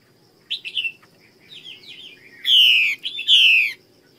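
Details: A female Chinese hwamei from the Northwest Vietnam highlands sings loud, rich whistled phrases: soft slurred notes first, then two bright, descending ringing phrases, over a faint low hum.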